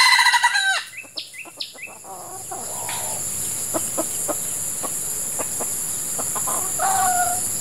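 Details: Female red junglefowl kept as a decoy to lure wild males during hot breeding-season weather, while the wild birds moult. A loud harsh harmonic call in the first second, then several short clucks. A steady high insect drone runs throughout, with a few faint bird notes later.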